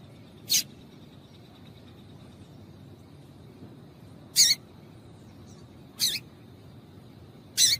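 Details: Female double-collared seedeater call used to stir up the male: four brief, sharp, high-pitched chips separated by long gaps of several seconds, over a steady low background hum.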